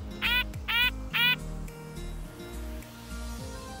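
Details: A red-breasted nuthatch gives its long call, its most commonly heard call: three nasal, tinny 'yank' notes about half a second apart, over soft background music.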